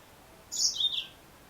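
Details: Female yellow-fronted canary calls with one high, thin chirped phrase of about half a second. It starts near the top, drops in two linked parts, and fades into a quiet background.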